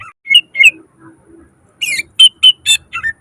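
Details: Greater green leafbird song with mimicked phrases, intended as tutoring for lazy birds: a few rising whistles, a soft low murmur, then a burst of loud sharp whistled notes about four per second.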